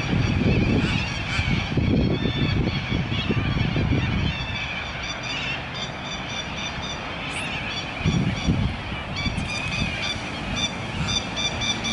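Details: Cockatoos in Adelaide, Australia give harsh, raucous screeches that overlap and repeat throughout, over a heavy low rumble of wind.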